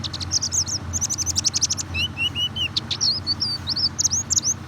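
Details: White-eye singing as a lure for a reluctant bird: quick strings of bright, high chirps, then a few lower slurred whistles, then more rapid twittering, over a quiet low hum.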